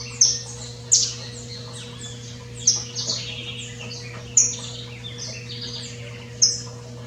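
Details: Wild saffron finch, known locally as canário-silvestre, free in nature in Brazil: sharp, very high chirped notes at irregular intervals, about five in seven seconds, over softer twittering from other birds and a steady low electrical hum.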